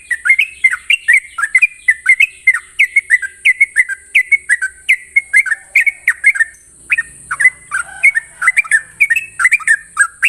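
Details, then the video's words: Energetic morning song from a Sooty-headed bulbul: a ropel run of rapid whistled phrases, rising and falling notes packed closely, briefly slowing near the middle, over a continuous thin high hiss. "Ropelan trucukan gacor terbaik penuh emosi pagi hari"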